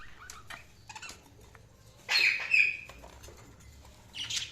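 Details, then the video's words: Budgerigars chirping in short bursts: scattered high thin chirps, then a louder harsh warbling burst around two seconds and another brief scratchy outburst near the end, with quiet gaps between. "Budgies Sounds| Budgies Chirping sound"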